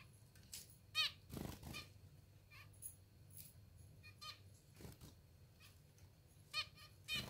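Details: Hand-fed pet zebra finches, hungry, uttering buzzy, nasal squeaks with a wavering, stacked tone, a few clustered near the start and two more close together at the end, among rustling and handling noise.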